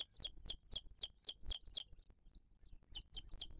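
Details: Loud sharp high piping notes repeat about four times a second at a booted eagle nest in 2023, pause for a few soft arched whistles, then resume, while the mother feeds the chick.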